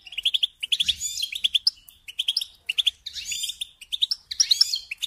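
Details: Goldfinch song in repeated phrases about every one and a half seconds, each opening with quick tinkling chirps and ending in a harsh, buzzy rising flourish.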